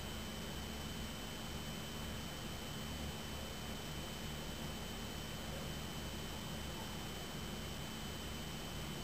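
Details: Quiet, even hiss runs throughout, with a constant thin tone and low hum and no animal voice.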